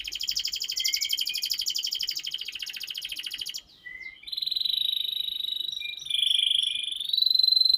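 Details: Canary song from a tutoring track for young birds: a rapid high trill, a brief pause, then clear drawn-out whistled notes with shifting pitch and short chirps.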